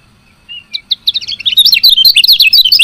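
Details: Female lemon-bellied white-eye chirping to stimulate males into song: scattered high notes quickly build into a continuous, frantic stream of sharp, squeaky twitters.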